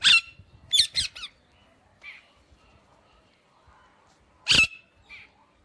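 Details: Indian ringneck parakeet giving a loud squawk, a quick triple burst of harsh notes, quiet chirps, then another loud squawk and a short final chirp.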